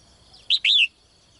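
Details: One brief phrase from a caged female bird calling to attract a strong male at morning: a quick rising chirp, then a longer bright whistle sliding downward.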